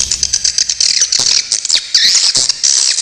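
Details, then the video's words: Swiftlet tutor recording for songbirds, with sharp rapid bursts. Fast, high, buzzy chirping and twittering runs almost continuously, with short downward-bending notes and occasional clicks. "suara masteran burung walet super jernih besetan"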